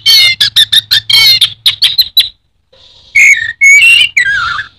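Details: Orange-headed thrush (anis merah) from Indonesia giving a quick series of harsh chattering bursts, a short quiet gap, then loud slurred whistles that drop in pitch.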